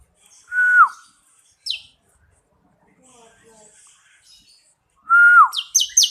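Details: Bar-winged prinia song for training other songbirds: a clear whistled note that holds steady then slides downward, a few faint chirps in between, and the same whistle again followed by a brief burst of high, sharp notes.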